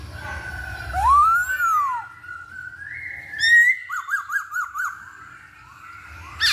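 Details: Masked laughingthrush singing, played as a lure to stir birds into song: a clear rising-and-falling whistle, a short upward note, then a rapid zigzag run of four or five trilled notes.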